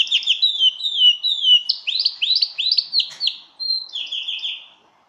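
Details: Belgian canary song meant to excite birds for mating: descending whistled notes, then a run of quick chirped syllables and a rolled phrase at the end that tapers off.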